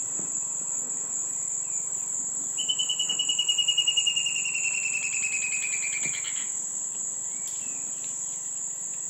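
A Palmari antbird gives a four-second series of clear notes that speed up and slide downward, over a constant high insect drone.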